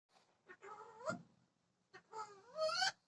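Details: Talking parrot utters two short, raspy, voice-like phrases with pitch sliding upward, separated by a second of silence, the second phrase ending in a harsh, breathy burst; quiet indoor setting.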